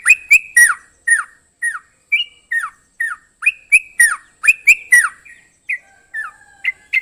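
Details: Sooty-headed bulbul pouring out quick, chattering phrases of slurred notes, around four per second, loud and irregular, easing into softer spaced chirps near the end.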